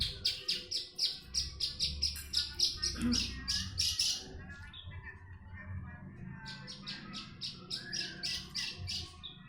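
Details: Javan bush lark from Jombang, East Java, Indonesia, in lively song used for tutoring other birds; fast rhythmic high chirps, about four per second, broken by a short pause and scratchy notes, then resuming.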